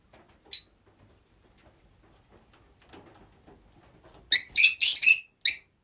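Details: Several rosy-faced lovebirds kept together as pets: a single shrill burst, then a cluster of harsh, high, buzzy shrieks in rapid succession near the end, with quiet gaps between.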